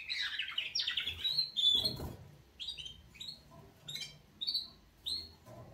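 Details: Canaries giving their wake-up song: short, high, upward-sweeping chirps repeated every half second or so, after a brief opening warble, with a soft thump near the middle.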